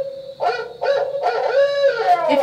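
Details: A barred owl gives its typical hoot, a rich, mid-pitched run of four linked hoots in about two seconds in the "who cooks for you" rhythm, over a faint low hum.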